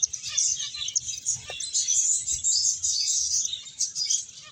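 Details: Finches at play while eating, heard as nonstop high twittering from several birds, with one faint lower note partway through.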